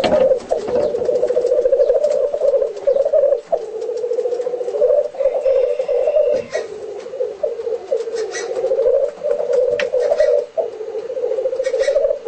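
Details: Black grouse displaying, home footage: a steady, low bubbling cooing rolls on almost without pause, dipping briefly at a few points, with faint clicks above it.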